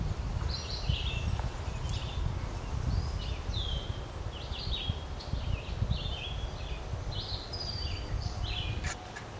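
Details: A flock of Green-winged teals at Spooner Island, Hampton, New Brunswick, calls with quick, high whistled peeps, often paired and overlapping, above a steady background rumble of wind.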